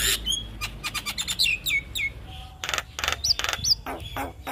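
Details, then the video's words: Javan myna song used as a training recording for young birds: rapid harsh broadband clicks and rattles mixed with clear whistled notes that slide downward, in quick bursts. "Suara Jalak kebo MAsteran Buat Pancingan Burung Jalak Kebo Muda"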